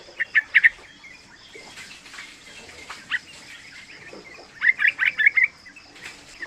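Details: A three-month-old yellow-vented bulbul used to coax other bulbuls into song: brief clusters of liquid chattering notes at the start and a rolling burst near the end, against noisy rustling background and a thin high tone.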